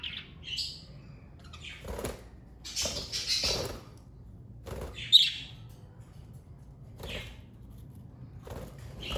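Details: Domestic parakeets utter sparse, sharp high chirps spaced a second or more apart, with a few louder bursts in between and near silence otherwise.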